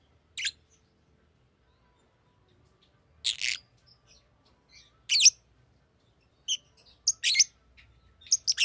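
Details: Fischer's lovebird kept as a pet, giving scattered shrill chirps and harsh squeaks at irregular intervals, single bursts early then a quicker cluster of sharp notes toward the end, with faint low room rumble beneath.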